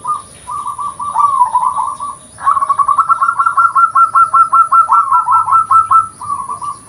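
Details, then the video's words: Local zebra dove, natural sound meant as a lure: rapid, nearly continuous cooing trills, with pulses repeated about two to three times per second over several seconds after a brief pause. "PERKUTUT LOKAL || SUARA ASLI COCOK UNTUK PANCINGAN"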